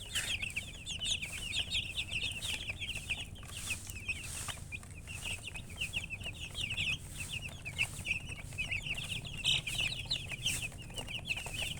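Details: Numerous chicks chirp continuously in shrill, falling peeps at a rapid pace, with steady rustling and low background noise throughout.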